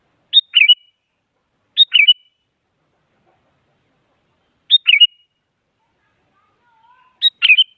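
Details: Active sooty-headed bulbul urging rivals to sing: four short calls, each a high sharp note and quick descending whistled flourish, spaced unevenly, with a faint low whistle just before the last call.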